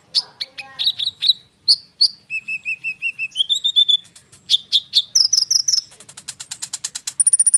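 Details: Konin bird in rolling song, played to make other birds answer: varied quick notes, a run of six steady whistled notes, rising slurs, then a fast rattling series ending in rapid high ticks.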